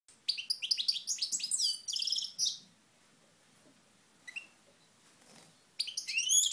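A European goldfinch sings quick, tinkling twitters and buzzy trills in two bursts separated by a near-silent pause with a few stray notes.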